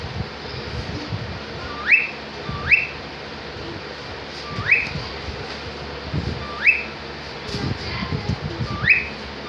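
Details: A cockatiel in a happy mood gives five short, rising whistled calls, spaced a second or two apart, over a low background rumble.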